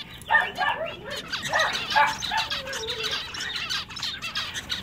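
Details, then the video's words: Caged zebra finches in a pet shop making their nasal meep calls, short honking notes repeated irregularly, with a brief low trill and softer chatter behind. "Male Zebra Finches Singing In A Pet Shop"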